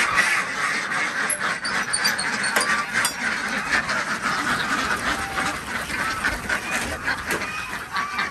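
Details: A flock of Desi ducks calls during morning egg collection at a village farm in Andhra Pradesh, a steady chorus of rasping quacks with scattered clatter and thumps in the background.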